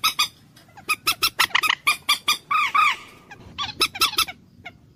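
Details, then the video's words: Common moorhen, locally called dunkor or jol murgi, giving loud harsh honking calls in quick series, some notes bending downward, in irregular bursts with brief gaps. "ডুংকোর পাখির অরিজিনাল ডাক / ডুংখোর পাখির ডাক / জল মুরগী পাখির ডাক / Common Moorhen bird call"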